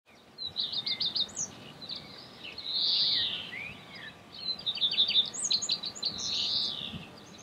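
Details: Common Redstart singing in Escherange, France, in May 2016: bright, high twittering phrases of quick chirps and short whistles, with a soft low rumble of background noise.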